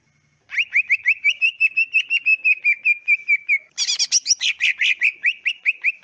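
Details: Greater green leafbird song, natural and clear, meant to make other leafbirds respond and trill: a long rapid series of short whistled notes, around three per second, broken by a dense buzzy chatter before the whistles resume.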